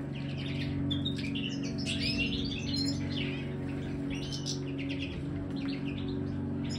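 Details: Twittering, liquid notes of a Major goldfinch in an aviary, broken into short bright phrases over a steady low droning hum.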